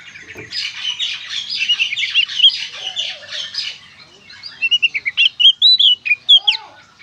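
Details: Oriental magpie-robin in gacor konslet singing, used as therapy for magpie-robins to sing. Harsh rasping buzzy notes repeated rapidly for several seconds, then a series of loud clear whistled slurs, rising and falling, sharply separated.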